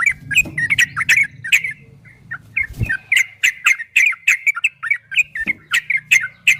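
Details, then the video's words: Yellow-vented bulbul pouring out a rapid ropel-style song for a cage-bird training recording. Sharp, chirpy, slurred notes come in fast runs, with a short quiet gap, a low thump and a faint hum. "Suara burung trucukan MASTERAN TRUCUK ROPEL 2023 TERBARU ‼️PASTI GACOR, TRUCUKAN ROPEL PANJANG"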